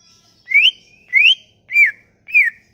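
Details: Sumatran leafbird song used as a lure to make leafbirds sing: four clear whistled notes about every 0.6 seconds, the first two rising, the last two slurred downward, with faint high overtones.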